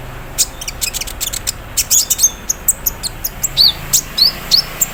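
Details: Olive-backed sunbird in the morning with an embroidery-machine imitation filling, a rattling cerrr style: dense runs of high clicks speeding up, then thin downslurred whistles repeated three times near the end.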